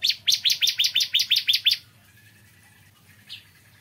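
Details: A bar-winged prinia delivers a brisk series of about ten high, downslurred chips in the morning, followed by silence and one softer note, low hum beneath.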